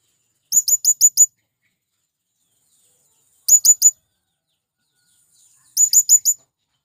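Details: Male blue-crowned hanging parrot calling to attract wild birds: three bursts of very high, sharp, thin chirps, four to five notes each, spaced by silent gaps of about two seconds, no other sounds.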